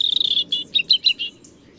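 A European robin sings a brief, high phrase: a quick thin trill, then several clear, warbling notes that rise and fall. A faint low rumble sits underneath.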